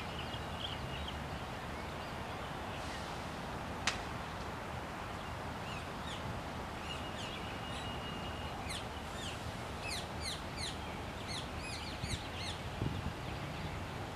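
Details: Two wild chestnut munias scuffling in Hawaii give thin, high peeping notes in quick bursts, thickest toward the end, over a steady rushing background noise.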